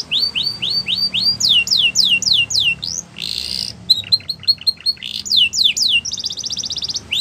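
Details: Border canary song used for training young canaries: bright whistled upward-sweeping notes repeated in quick rows of about four per second, broken by a harsh buzzy burst, clipped chattering notes, and a fast rattling trill near the end.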